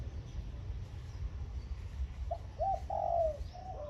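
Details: A tame zebra dove used as a decoy bird, hung in front of a house in the morning, gives a few soft, mid-pitched cooing notes near the end, the last ones longer and gently trilled, over a steady low rumble.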